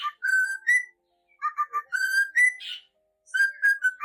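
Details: Cockatiel song of tuneful whistles: a held note rising at the end, a cluster of quick two-tone chirps, longer sliding whistles with a brief harsh rasp, then more repeated whistled notes.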